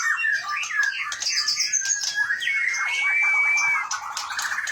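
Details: Caged competition white-rumped shama from Gunung Leuser, Aceh, Indonesia, singing in the rolling ngerol style with long deliveries: quick chattering phrases, then a long clear steady whistle, followed by rapid trills.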